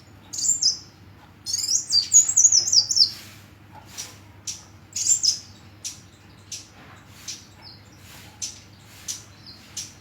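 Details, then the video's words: High, thin hummingbird chirping: two bursts of jumbled squeaky twitter at the start, followed by evenly spaced single sharp chirps roughly every half second. "Kicau Kolibri"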